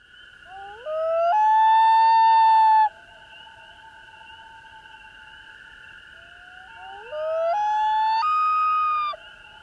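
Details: A common loon gives its summer wailing yodel call: two long, rising wails, each stepping up in pitch and holding a clear tone, over a steady background hum.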